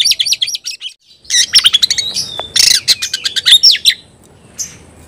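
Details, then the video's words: Oriental magpie-robin in competition with a rival, pouring out dense chattering bursts of high chirps mixed with short clear whistles and a sliding note, ending in quiet. "kacer gacor ngobra KONSLET nembak lawan tarung paling enjoy"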